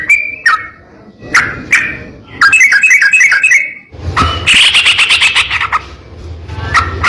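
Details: Sooty-headed bulbul master song for training other bulbuls: a few separate whistled notes, then a rapid trilling chatter, and a harsher buzzy rattle over a low background rumble.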